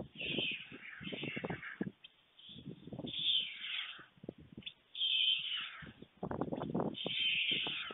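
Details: White storks at a nest in Fohrde, Germany, around lunch delivery at 12:41 PM on 23 July 2019, giving harsh, rasping, mewing bursts in uneven runs of one to two seconds, with rough low rattling underneath.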